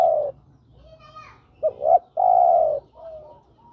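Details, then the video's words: Spotted dove cooing to call a female, used for luring birds: a long coo, a quiet pause, then two quick short notes and a drawn-out, slightly falling coo, ending with a softer note. "Suara tekukur memanggil betina"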